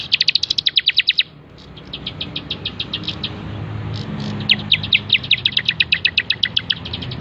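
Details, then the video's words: Bar-winged prinia in full song for bird training: a quick, high chattering trill, then a softer, slower series of clicks building back into a rapid, bright rattle, with low background rumble. "burung ciblek gacor"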